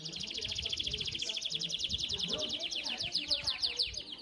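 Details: Belgian domestic canary in a singing competition, 7th edition, performing fibra-style song: a sustained, rapid, high rolling trill of tightly repeated notes, steady throughout with slight rises and falls, with soft low rumble and murmur beneath.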